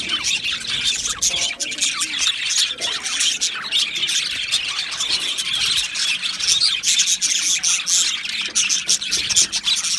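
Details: Australian budgerigar colony in an aviary, recorded 12 July 2025: dense overlapping high chirps and warbling chatter from many birds, with scattered harsh squawks, continuous throughout.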